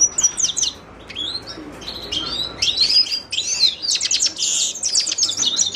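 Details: Song of a Himalayan goldfinch, Carduelis caniceps: rapid high twitters, rising and falling chirps and buzzy notes delivered in quick, dense phrases.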